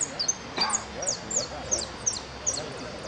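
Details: At a singing competition, a goldfinch gives very high, sharp downslurred notes about three per second, with faint voices beneath.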